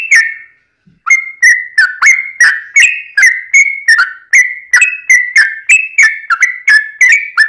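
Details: Yellow-vented bulbul long-run fighting song, played to get other bulbuls answering: an opening phrase, a second of quiet, then a regular stream of clear gurgling whistles with clicked onsets, some held level, some falling.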